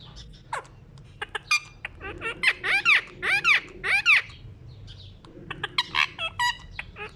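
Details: Pet ring-necked parakeet at a mirror giving loud, harsh, arched screeching calls in a rapid run of about five, then a pause and more sharp chirps and squawks, roughly two per second, indoors.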